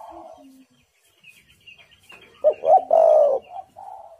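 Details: Spotted dove call used as a lure to get wild doves calling: a soft low note, then a loud run of mellow, rounded coos near the end. Small high chirps from other birds are heard in between.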